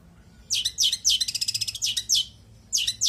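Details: Long-tailed shrike in energetic song with "isian" fill: quick bursts of high, sharp notes run into a fast stuttering trill, then break off briefly before resuming.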